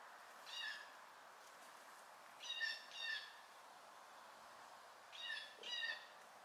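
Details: Fledgling blue jays picking around give five short, nasal, raspy calls, mostly in pairs about half a second apart, against a steady soft hiss.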